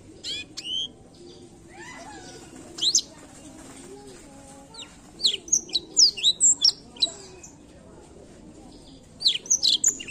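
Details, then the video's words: Black-throated canary giving high, sharp chirps and quick twittering notes in short bursts, with a busy run of notes midway, over a low steady background hum; song played to stimulate other birds to sing. "canto do pássaro blackthoat"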